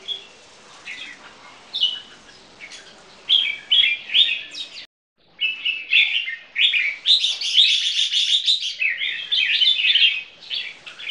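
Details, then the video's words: Two caged champion-bloodline bulbul crossbreeds, Red-whiskered Bulbul lineage, singing in display; dense chattering, warbled phrases, a brief silent break near five seconds, then a long, rapid, higher run of notes. "Jambul Keke Display"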